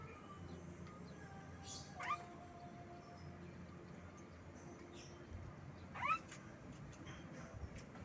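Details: A pet Javan myna (Acridotheres javanicus) gives two brief, mewing, upward-bending calls about four seconds apart, over a steady low hum and faint background tones.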